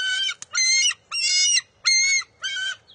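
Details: Bald eagle eaglet contesting a fish with its mother at the nest in June 2021, giving five quick, squealing, strongly harmonic cries within three seconds, with one sharp click near the start.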